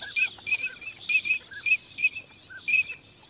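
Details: Teal on migration give clipped, high whistled notes in a steady broken series, with a few softer lower chirps between them.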